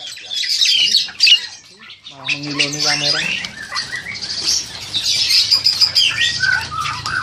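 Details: Crested myna about 7–8 months old, a captive breeding bird ready for a breeding cage, recorded on an old phone: harsh, scratchy squawks and chattering notes in quick, irregular bursts, with a brief low human voice partway through.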